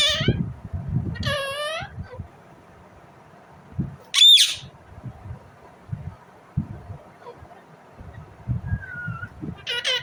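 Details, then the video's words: Indian ringneck parrot giving natural chirping sounds: a few scattered harsh squawks and a descending wavering screech, separated by quiet gaps, with low thumping and rustling noise underneath. "Indian Ringneck parrot Natural sound, parrot chirping sound"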